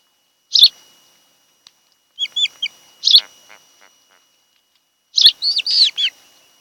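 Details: Osprey pair at the nest on Kent Island, Maryland, in summer: sharp single chirps alternating with short groups of quick whistled notes and a final burst of slurred squeals.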